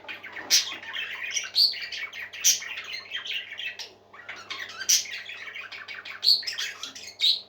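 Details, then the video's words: A group of parakeets keeps up a dense stream of chirpy, scratchy warbling, punctuated every second or two by brighter high squeaks, over a steady faint background hum in a small room. "Happy Parakeets Singing"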